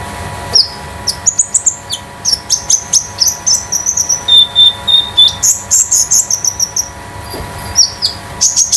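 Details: Young common iora (konin) at home, moulting out of speckled plumage and kept to prompt and train other birds; lively high song of quick whistles, chattering notes and a steady held whistle, delivered in fast bursts over low hum.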